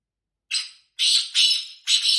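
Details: Female black francolin voice meant to excite males. A harsh, scratchy note is followed by a pause, then three loud, grating notes in quick succession. No other sounds.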